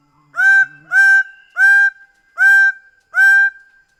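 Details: Five loud, nasal, honking notes from a Greater bird-of-paradise, repeated roughly every seven tenths of a second, with a faint low hum at the start.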